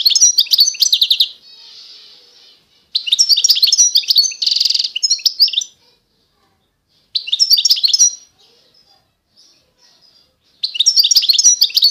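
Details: European goldfinch, Constantine strain of eastern Algeria, singing repeated twittering phrases mixed with a nasal buzz and a dry rattling trill, several bursts with brief gaps; nothing else audible.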